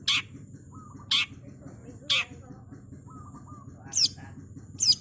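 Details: Rasping shrieks from a long-tailed shrike, about one per second, with the last two notes turning sharper and more squeaky. Soft, lower trilled phrases from another source and a constant low hum fill the gaps.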